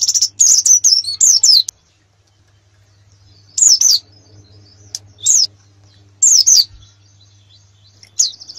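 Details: Canary master song for training contest birds: an opening burst of high trilled and warbled notes, then long silences broken by short separate phrases of swooping whistles, with a faint background hum.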